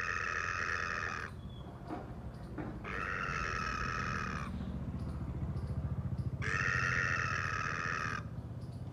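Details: A red-naped ibis at a compound wall in an Indian residential area, where people leave food for birds, gives three loud, harsh, nasal screams, each over a second long, spaced a few seconds apart, over a steady low engine-like rumble.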